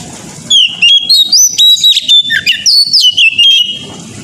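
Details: Morning kacer lure song from an Oriental magpie-robin, meant to provoke other birds to answer: a rapid run of clear whistles, upward and downward slurs and scratchy notes, loud and continuous, with low background rumble between phrases.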